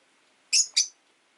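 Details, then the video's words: Caged Rosy-faced lovebirds indoors by a window, five birds kept, rain falling outside, an orange-faced bird jostling for perch position beside a blue-white one: two sharp high chirps in quick succession, otherwise quiet. "Lovebird Chirping Sounds"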